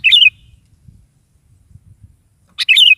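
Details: Sooty-headed bulbul singing energetically in the morning, intended to make a kept bulbul respond: two quick, chattering, warbled phrases, the second opening with a click, with faint low rumbling between them.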